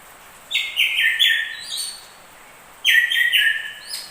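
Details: Stepwise descending whistled phrases from crested and ashy drongos, each phrase of four clear notes, two phrases about two seconds apart with silence between.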